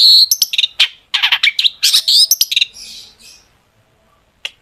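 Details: Long-tailed shrike singing a loud, varied song used as a lure to make other shrikes sing: harsh chattering notes mixed with sharp whistles and buzzy rasps, then a pause and one last short note.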